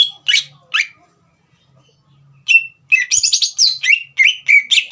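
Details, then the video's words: Green leafbird singing to provoke a young bird: a few separated sharp notes, a pause, then a rapid run of high whistled and chattering phrases with rising and falling slurs. "CUCAK IJO GACOR INI SPONTAN MEMANCING EMOSI CUCAK IJO BAHAN TROTOL AGAR GACOR"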